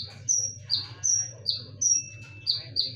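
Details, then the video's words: A konin singing nonstop as a lure, with sharp, loud notes. It gives high whistled notes in two pitches that alternate about three times a second over a low steady hum. "SUARA PANCINGAN KONIN"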